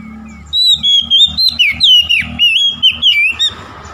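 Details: Oriental magpie-robin singing to provoke a rival: a dense, continuous series of rich whistled notes, warbling up and down, packed into about three seconds and ending abruptly.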